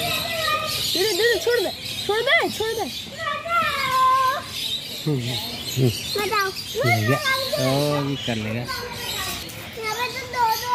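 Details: Blue-and-yellow macaw talking in loud, rich, voice-like syllables, arched and hooked in pitch, some deep and nasal, delivered in quick bursts throughout with brief gaps.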